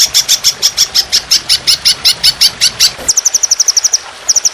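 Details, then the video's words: Trotolan on a training recording for songbirds, described as fierce with long harsh shooting phrases: a fast, even string of high chipping notes, then quicker, thinner ticking notes in a short burst. "Masteran Burung Trotolan Jahat Tembakan Panjang Kasar Ngedur"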